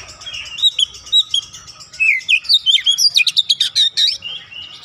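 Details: An untrained oriental magpie-robin singing energetically: soft repeated whistled notes lead into a rapid run of loud, sharp, rising and falling chirps, then a trailing quiet whistle.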